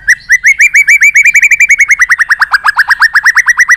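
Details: White-rumped shama, part of a recording meant to excite a caged bird into song: a rapid series of about thirty short upswept whistled notes, evenly spaced, very regular and bright.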